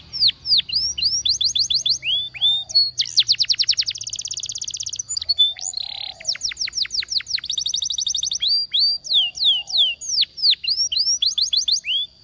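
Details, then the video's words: Waterslager canary song used for training canaries: rapid repeated high whistled and slurred notes, bursts of fast buzzy trills, and sweeping downward phrases, delivered in a continuous, energetic flow. "The Best Canary Sound!!! Reliable for Waterslager Canary Training"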